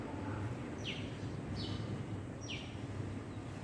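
A hummingbird gives three short, high, down-slurred chips less than a second apart, over a steady low rumble of background noise.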